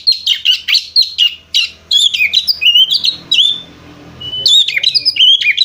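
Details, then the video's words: White-rumped shama imitating a lovebird's chatter: fast high chips, then slurred whistles and a long rising whistle after a quiet gap, with a low hum behind. "suara kacer ngriwik seperti lovebird"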